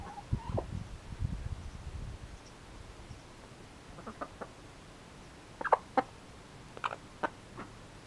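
A Yamato Gunkei chicken gives short, throaty clucks in loose, irregular bursts, with some low thumping and rustling near the start.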